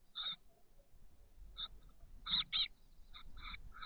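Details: Chestnut-backed chickadee nestlings, six in a nest box on the SF Bay south peninsula, 13 days old on 30 May 2023, give short raspy buzzy bursts, singly and in close pairs, with soft low rumbling behind.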